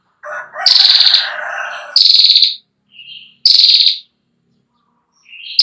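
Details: Female Ashy prinia's long trill, recorded for tutoring young birds: a lower buzzy phrase opens, then three sharp, rapidly pulsed high trills come in quick succession with brief soft notes between.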